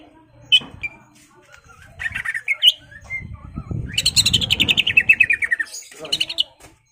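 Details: Singing greater green leafbird meant to stir a rival into fighting; scattered chirps lead to a fast descending trill of buzzy notes lasting about two seconds, with some low rumbling noise.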